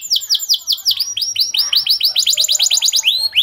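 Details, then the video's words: Canary giving its long 'cuit cuit' song as tutor audio for young canaries; drawn-out descending whistles speed up into a rapid string of bright arched notes, ending with a few slower sweeps. "Long Cuit Cuit Canary Masteran For Early Childhood Canary Baits to Sound Quickly || Voice of Canary"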